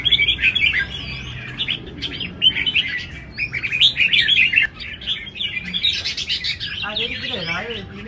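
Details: Competing caged red-whiskered bulbuls at a large arena deliver rapid bright chirps and rising whistles, dense at first, then a shorter run mixed with lower warbled sounds near the end.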